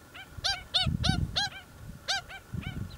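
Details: Native pied stilts at a colony nesting in an earthworks site on the Waikato Expressway near Hamilton, where chicks hatched; rapid, nasal yelping notes, several per second, over low machinery rumble.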